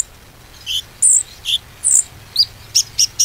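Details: Bar-winged prinia lure song for silent birds: separate sharp, high chirps and short buzzy notes spaced irregularly, about two each second.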